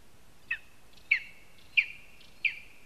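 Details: Lesser spotted eagle at its nest in a spruce in Zemgale, Latvia, on a live nest camera, with a mouse and a spruce twig brought in: four sharp, high yelping notes, each with a short trailing tail, spaced about half a second apart.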